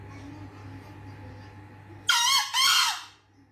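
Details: Green junglefowl seeking its escaped female; a brief, loud, two-note crow, both parts rasping and harsh, follows a quiet humming stretch and ends abruptly.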